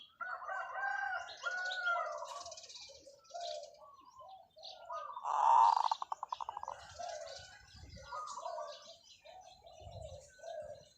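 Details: Long calls from a zebra dove decoy bird with a light voice. A single bright cooing burst leads into a rapid pulsing rattle of short coos, and surrounding doves keep up softer cooing phrases.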